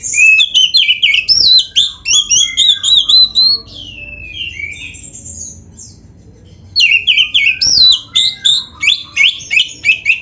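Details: Energetic white-rumped shama song: rapid strings of whistled and chirped notes, a gliding descending whistle, a pause of about two seconds, then another fast burst of varied phrases.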